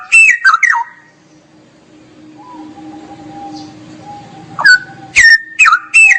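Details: Straw-headed bulbul in active gacor singing called ngeropel. Quick, looping whistles give way to a soft, steady hum of low notes before sharp, loud whistled phrases resume.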